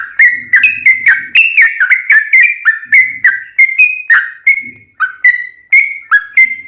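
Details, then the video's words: Sooty-headed bulbul lure song, long and rapid, meant to set other bulbuls singing: a dense run of loud whistles, dipping and level notes alternating, slowing slightly toward the end, with faint low sounds at times. "trucukan gacor ROPEL PANJANG buat pancingan trucukan agar bunyi JADIKAN burung trucuk gacor NYAUT"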